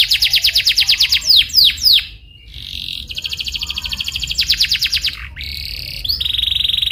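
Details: Canary song used as a lure to prompt another canary to answer and learn a lively rolling style: rapid high buzzy trills, sweeping slurred notes, then steady whistled tones and a fast ringing roll.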